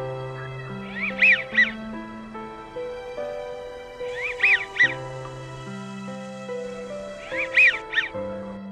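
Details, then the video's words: American wigeon at Crystal Springs Rhododendron Garden, southeast Portland, Oregon, giving its distinctive whistle rather than a quack: short, breathy two-syllable whistles, three bursts about three seconds apart, over steady background music. "Wigeon have a very distinctive call. It sounds like a whistle rather than a quacking noise. So you have a little two-syllable whistling noise."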